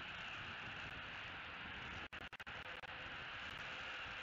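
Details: Steady broadband rushing wind noise fills the recording, broken by a few brief near-silent dropouts halfway through, with no animal voice heard.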